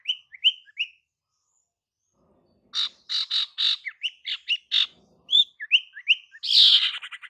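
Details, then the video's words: Female Ashy Tailorbird calling to lure males: three quick chirps, a pause, then a run of buzzy bursts mixed with short rising chip notes, ending in a loud rasping buzz. "Kicauan SIRTU BETINA Untuk PIKAT SIRTU JANTAN"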